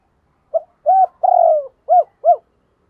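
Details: A spotted dove gives soft, mellow coos with a rolling middle note and two short closing notes, played as a lure call for trapping.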